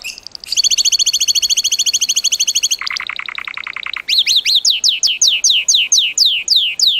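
A Gloster canary sings in fast rolling tours: a rapid high trill, then a lower buzzy rattle, then repeated sweeping whistled notes about twice a second.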